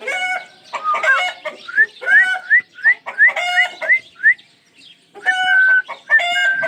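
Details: Pet Ringneck parrot repeating short rising whistles about three per second, framed by harsher harmonic squawks and a sustained level, nasal tone near the end.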